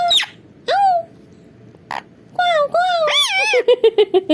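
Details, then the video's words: Pet parrot talking nonstop while sitting on its mirror frame; clear mimicked word-like phrases with rising and falling tones, a brief pause, then a fast run of short clipped syllables. "Mitthu ki non-stop boli🤩😃 batooni tota"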